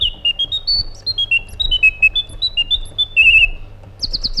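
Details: Iraqi bulbul singing a run of clear whistled notes that step up and down in pitch, followed by a short wavering trill and then a few quick high rising notes at the end.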